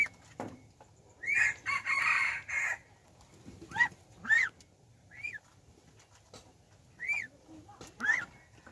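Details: Hybrid of domestic chicken and red junglefowl, a decoy rooster praised as a fine crower, recorded 10 January 2021: one loud, harsh, broken crow of about one and a half seconds, surrounded by short rising chirps from other birds.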